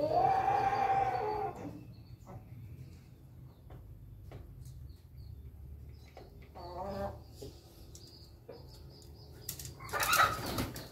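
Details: Red-combed chicken recorded on 20 May 2024. The clip opens with a harmonic, drawn-out crow that lasts about a second and a half and levels off on a steady pitch. It is followed by quieter scattered clatter, scratches and brief noises.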